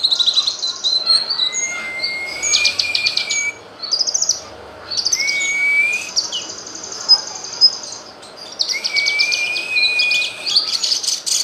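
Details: Cucak kinoy tutor recording: three long rising whistles, each followed by bursts of rapid high-pitched chattering trills, with short quieter gaps between phrases.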